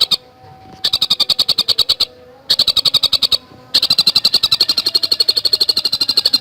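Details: Bursts of quick, high staccato notes from a Javan cuckooshrike singing in dense fast style for cagebird training, given in three runs separated by short quiet gaps, the last run longest and steadiest.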